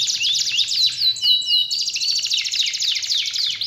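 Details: Canary song played to coax a lazy canary back into full song: fast varied phrases of high rising and falling sweeps, short pure whistles, then a long rapid rattling trill.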